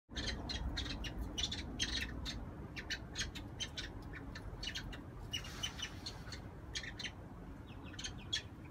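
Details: Two pet cockatiel siblings, a female and a male, mating; rapid, scratchy chirps in quick bursts over a steady low rumble.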